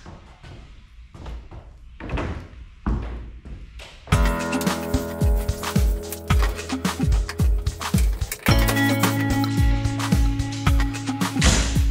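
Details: Workshop thuds and tapping, joined after a few seconds by steady background music with repeated low knocks; no animal sounds.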